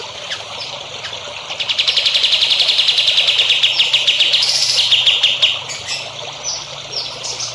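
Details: Songbird training song for young birds: a long, buzzy, rapid trill that swells in loudness, shifts pitch upward and then down, and ends in scattered high chirps.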